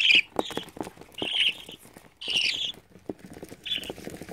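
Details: A young albino budgerigar gives short, raspy chirps in uneven bursts, with soft tapping sounds between them.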